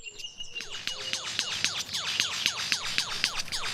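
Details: Lyrebird, a mimic, in forest, imitating a laser gun while out-singing rivals: a rapid volley of high, falling 'pew-pew' zaps, about four a second, like a toy laser gun.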